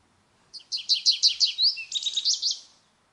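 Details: Clean phrase from an American goldfinch: a quick string of evenly repeated high notes, a slurred whistle, then a rapid twittering run ending within about two seconds.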